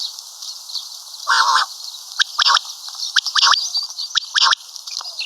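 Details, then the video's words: Common quail call, locally batair or female maadi batair; a harsh broad burst, then quick doubled and tripled sharp notes repeating roughly every second against a constant high background hiss. "Common Quail Calling|Batair Ki mote Awazay| Karkari Batair Ki Awaz|Maadi Batair Ki Awaz|Quail sounds"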